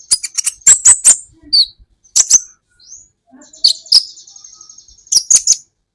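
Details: Training recording of Van Hasselt's sunbird song for caged songbirds. Dense clusters of shrill, high chirps alternate with short silences, then a thin buzzy trill and a final burst of rapid squeaky notes.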